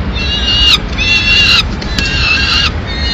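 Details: Peregrine falcon nestlings being fed pigeon by the female, Madrid, 19 May 2016. Three long, steady, nasal wails of even pitch, each nearly a second, separated by short gaps, over a low background hum.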